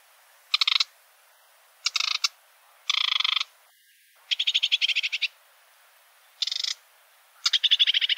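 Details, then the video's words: Sedge warbler delivering a series of harsh churring rattles, each a quick burst of evenly spaced notes about a second long, separated by short pauses and growing longer toward the end. "Vogelstimmen: Der Schilfrohrsänger - Reed warbler - Acrocephalus schoenobaenus"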